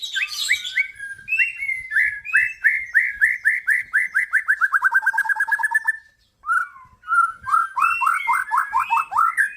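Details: Male white-rumped shama from an F-series crossbreeding: long run of rapid repeated whistled notes descending gradually in pitch, a brief pause, then a renewed series of rising and falling whistles.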